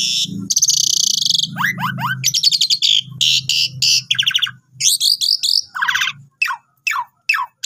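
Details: Asian pied starling in steady, long song as a tutor recording for newly bought birds. Harsh buzzy bursts alternate with quick rising whistles and clipped chatter. A low hum fades midway, and spaced falling notes close the phrase.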